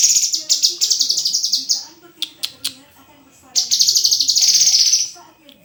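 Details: Rapid high rattling phrases from a murai (white-rumped shama), broken by a few sharp clicks, then a long dense buzzy trill.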